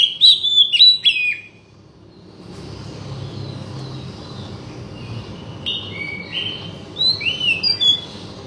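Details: Oriental magpie-robin song played to make a silent bird sing: a short opening burst of sharp whistled notes, then quieter, scattered whistles over a low rumbling background.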